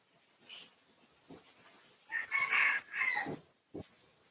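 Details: Pradu-coloured red junglefowl in a research recording from 18 August 2023; a harsh crow of about a second and a half in several loud, rough bursts, with faint knocks and soft background noise before and after.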